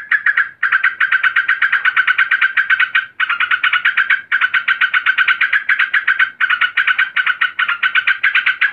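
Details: Yellow-vented bulbul female, described as agitated, calling a male. Dense bursts of fast, grating repeated notes, roughly four a second, in runs of two to three seconds separated by very short breaks.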